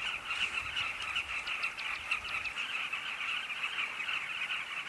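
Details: Unbroken chorus of rolling calls from a carmine bee-eater breeding colony at a safari camp. The sound stays thick and even for five seconds, with a few sharper clicks early on.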